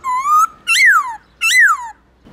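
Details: Black-throated laughingthrush singing to prompt captive birds: one long gently rising whistle, then two loud arching notes that climb and slide down, rich in harmonics.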